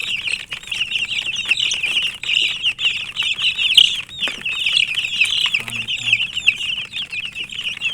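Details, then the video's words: Chicks chirping in a dense flock, a nonstop chorus of high, short, overlapping peeps that rise and fall quickly, with faint low rumble underneath and a brief louder peep near the middle. "Murgi chicks Chirping sounds"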